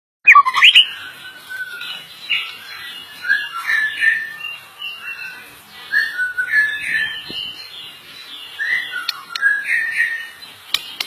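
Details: A White-rumped shama of the Medan 'blorok' type sings actively. It gives a rich, varied string of whistled and fluty phrases, rising and falling, with brief harsh notes mixed in and short pauses between phrases.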